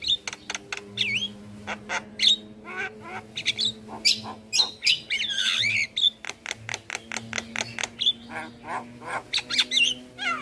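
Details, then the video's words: Javan myna master song for getting other birds to sing: fast sequence of harsh clicks, squawks and whistled slurs with a buzzy warbled phrase midway, over a faint steady low hum. "Jalak kebo Gacor Parah Bikin Burung Lain yang Dengar Ikut Bunyi - Masteran Jalak Kebo Juara"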